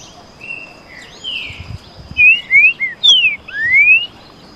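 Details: One of two Green-winged saltators singing 'canto boi' against each other: a few soft whistles lead into a loud phrase of three sharp slurred notes and a long rising whistle.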